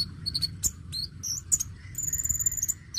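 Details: Oriental magpie-robin of the dacok type, singing energetically to draw song from untrained young birds: scattered high whistled notes and chips, then a fast high trill repeated for under a second, over a steady low hum.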